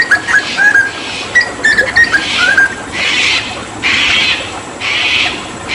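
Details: Hooded butcherbird in 'tembakan' tutor song during water therapy: a brief series of bright whistled notes and slurs, then repeated loud hissing bursts dominate the second half.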